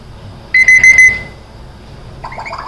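An African grey parrot gives a bright, steady electronic beeping in four quick pulses, like an alarm clock, then a short rougher chattering note.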